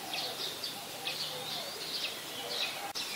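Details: Olive-backed sunbird in mangrove forest at the Sirinart Rajini centre, repeating high, thin tsee notes roughly twice a second in a steady series, with a sharp click near the end.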